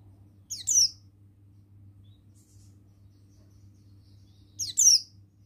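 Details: Oriental white-eye, buxtoni male, singing in wild forest style: a stuttering pair of very high, sharply falling chirps, then after a long pause a similar quick double chirp, with a faint low hum throughout.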